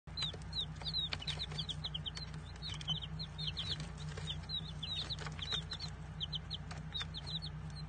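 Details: Baby chickens peeping continuously, many chicks giving short, high, slightly rising cheeps in overlapping clusters over a steady low hum.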